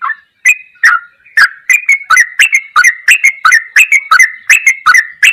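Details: Sooty-headed bulbul tutor song in the ropelan goklikan style: quick, clear whistled notes alternate high and low, about one and a half per second in loose, uneven rhythm, with no other sounds.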